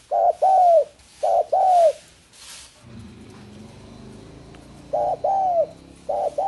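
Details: Spotted dove song of paired low coos, a brief note then a drawn-out arched one, repeated in four phrases separated by a pause, over a low hum and brief noise bursts.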